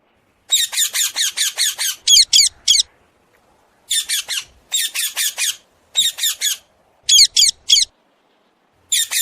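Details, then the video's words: Common hill myna calling: bursts of loud, harsh, rasping squawks in quick series of three to seven notes, broken by short silences, with no other sounds. "Suara Burung Beo"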